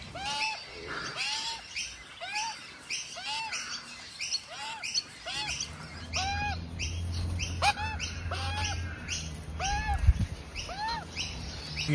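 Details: Juvenile Australian magpie from a wild family that visits a front yard daily, calling while its parents have lunch; harsh, nasal, arched squawks repeated steadily about twice a second throughout, with a low rumble in the background from midway and a sharp knock near the end.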